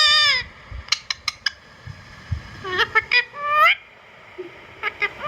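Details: Indian ringneck parakeet calls more softly here: a falling screech, scattered sharp clicks, then a rising drawn-out squawk and a few faint notes.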